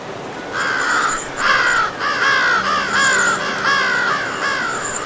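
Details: American crow giving about six drawn-out, hoarse caws in an irregular series, each roughly half a second long, with a faint steady low hum in the background.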